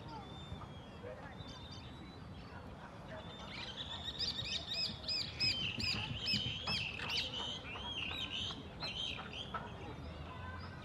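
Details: On 20 June 2022, at a canal in Parque Finky, Turdera, Buenos Aires Province, Argentina, several rufous-sided crakes (five counted) move and swim fully exposed. One gives a fast, high-pitched chattering trill of rapid notes lasting several seconds, over a low steady rumble.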